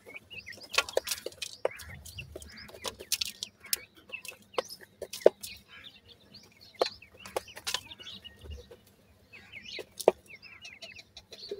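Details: Several white francolin (teetar) chicks feeding: faint high peeps and chirps run on continuously beneath sharp clicks, rustles and occasional low thumps.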